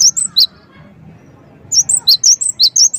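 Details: Gelatik wingko, the cinereous tit, in a lure recording meant to make birds respond: a few bright whistled notes, over a second of quiet, then a fast run of high, ringing two- and three-note phrases.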